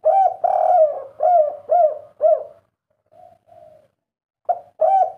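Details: Spotted dove, 'kuk 3' variety whose distinctive voice has up to three 'kuk' notes; one full phrase of five or six mellow, rising-falling coos, a brief soft pause with faint notes, then a new phrase starting.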